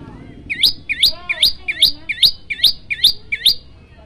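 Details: Prinia, locally called prenjak lumut, sings for bird training. Eight looping, twangy high chirps come at an even pace, each sweeping up sharply, with softer lower chirps from another bird in the background.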